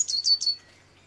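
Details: A great tit (Parus major) visiting an office-window bird feeder for nuts and seeds gives three quick, high, thin notes in about half a second, then falls silent.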